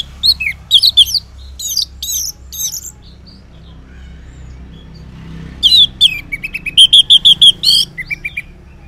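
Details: Orange-headed thrush in full ngeplong song in the morning, meant to lure silent males into replying: bright whistled phrases in two bursts, the second with a rapid run of about eight repeated ringing notes.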